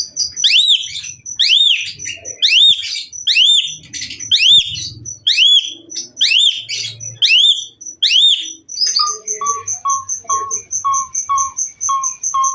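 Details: Asian pied myna in lively full song, used to prompt other mynas to sing: a string of loud rising whistled notes about twice a second, then quick evenly repeated short chips at two pitches, high and lower.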